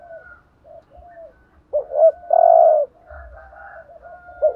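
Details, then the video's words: Spotted dove decoy coo of the urging style, used to stir other doves: soft low coos, then a rising note and one loud, drawn-out burry coo midway, followed by quieter trailing coos over a faint low rumble. "chim cu gáy thúc gù bài bản/ Tiếng chim cu gáy kích bổi và mồi rất xiêng gáy"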